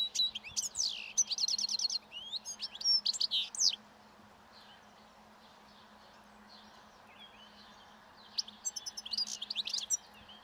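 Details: Wild European goldfinch singing its breeding song as spring approaches while feeding on last year's thistle seeds at a roadside. Bursts of fast, twittering, buzzy and liquid high notes, then a quiet pause before the twittering resumes. A steady low hum runs underneath.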